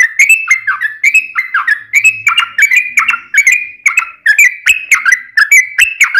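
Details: Trucukan singing a long ropel, used as a lure so other birds answer: continuous bubbly notes, each a short rising-falling slur, repeated about three to four per second without a break.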